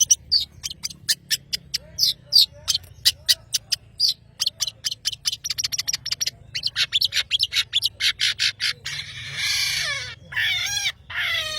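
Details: Long-tailed shrike of the Madura type singing vigorously: a rapid series of sharp, clicking, high notes at an uneven pace, building into a dense, scratchy, warbling chatter toward the end.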